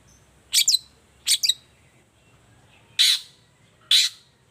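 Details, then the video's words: Long-tailed shrike in morning song, meant to draw an answer from other shrikes: two quick doubled chirps, a short gap, then two harsh, broad, scratchy squawks near the end. "Suara cendet gacor Pagi Hari pancingan jitu BIKIN cendet diam langsung nyaut ikutan bunyi"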